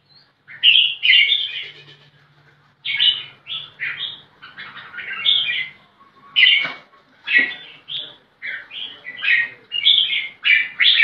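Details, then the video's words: Red-whiskered bulbul seeking a rival to fight, singing a steady run of short, bubbly whistled phrases. Each phrase rises and falls, with roughly ten phrases in eleven seconds and brief pauses between them. A low hum is audible early on. "Kutilang Jambul Gacor Cari Lawan Tarung"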